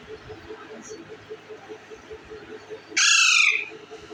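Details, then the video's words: Indian ringneck parakeet eating bread; after several seconds of low ticking background, a single loud, raspy squawk of about half a second. "green Ring nick talking parrot eating bread"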